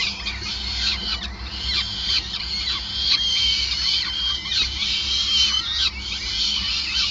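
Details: Peregrine falcons at their Groningen nest in the Netherlands on 5 May 2020, being fed; a busy chorus of sharp, downslurred squeals and whiny harmonic notes repeats rapidly throughout over low hum.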